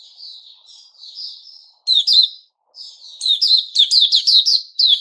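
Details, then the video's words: Caged white-rumped shama, recorded 29 August 2021, starts with soft, drawn-out whistles, then shifts into loud, rapid sharp notes repeated about twice per second with brief pauses between bursts. "Puteh Raja Sing Buka"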